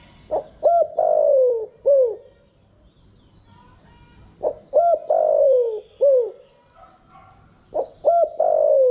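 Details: Standard-voiced spotted dove decoy call for training doves each day; three repeated phrases about three seconds apart, each starting with quick coos, then a drawn-out descending croo and a brief closing note, with a thin constant high tone behind.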